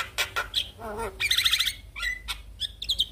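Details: Morning lure of a Javan myna meant to stir a reluctant myna to sing: harsh clicks, a low nasal warble, then a fast high trilled burst and short whistled notes.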